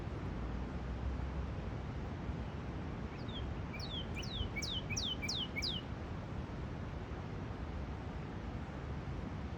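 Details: Northern cardinal singing in a park: a short phrase of about five clear, steeply downslurred whistles repeated quickly midway through, nearly drowned by loud, constant traffic rumble.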